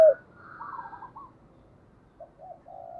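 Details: Spotted dove decoy call meant to draw in wild doves: quiet, soft coo notes, a short burst at the start and a few low coos near the end.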